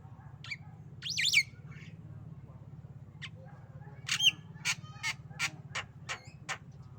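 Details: Tame black-winged myna making coughing and laughing sounds: an early harsh rising squawk, then a series of short sharp clicking notes spaced about every half second, over a low steady hum.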